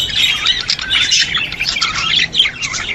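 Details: Budgerigar song meant to stimulate budgies: unbroken, bright warbling chatter of shrill twittering notes at a fairly even loudness throughout.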